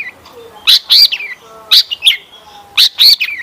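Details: Lure song of a long-tailed shrike, played to set other shrikes singing: paired loud high chirps with falling tails, in short clusters separated by quieter gaps.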